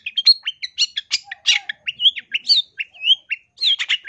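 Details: Long-tailed shrike song meant for training other birds, loud and lively: a dense, varied stream of harsh squawks, short whistled slurs and rising chirps following one another without pause.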